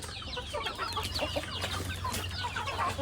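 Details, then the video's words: Feeding chickens in a flock give a busy overlapping chatter of short squeaky peeps and clucks from many birds, over a steady low hum in the background. "Good chickens"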